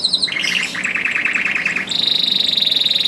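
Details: Canary in full song, played to encourage canaries that rarely sing: a rolling mid-pitched trill held for over a second, then a long rapid high rattle of evenly repeated notes.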